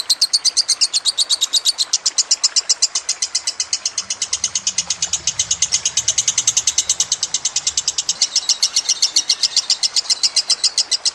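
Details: Master recording of a lovebird, made to train other birds, with running water: a long, dense rattle of high chattering notes that repeats rapidly and evenly for the full length, with no breaks.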